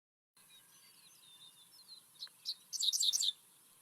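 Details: Dickcissel singing in summer at Kankakee Sands, Newton County, Indiana, in open habitat: two sharp notes then a quick, dry, buzzy run, 'dick dick ciss-ciss-ciss', with faint thin whistles from other birds behind.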